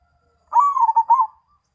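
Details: Zebra dove, Mojopahit line, giving a single song phrase: a long opening coo, then rapid rolling, bubbling notes that close on a held coo. Little else is heard.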